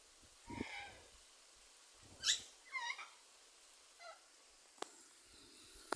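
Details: A pet monk (quaker) parakeet enjoying time outdoors in a forest gives a handful of short, harsh, chattering squawks with brief pauses between them.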